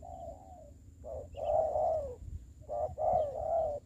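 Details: Decoy spotted dove on the ground in a trapping setup during COVID-19, a soft opening coo followed by strong, drawn-out hollow coos in pairs, a faint high tone steady behind.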